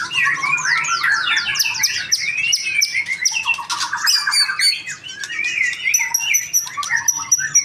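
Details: Young male white-rumped shama, a captive pastol bird in Indonesia, delivering a rich, fast song of sweeping whistles, rapid trills and harsh chattering notes, repeated high pure tones toward the end.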